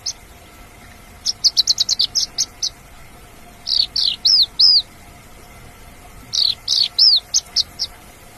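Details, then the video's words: Song of an Australasian bush lark in the wild: a fast string of sharp high notes, a pause, then arched whistled notes, followed by another mixed run of slurs and clipped chirps, over a low steady hum. "kicau branjangan dialam"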